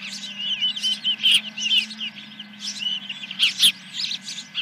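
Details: Osprey calling at a ranch nest on a July 2021 morning, first fish: bursts of shrill piping chirps in groups about every second, with a soft low drone behind.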